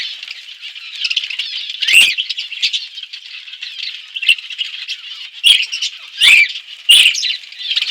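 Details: Budgies feeding on seeds in an outdoor aviary in a forest setting give a constant scratchy warbling chatter, broken by several louder squawks and clicks around two, five and a half, six and seven seconds.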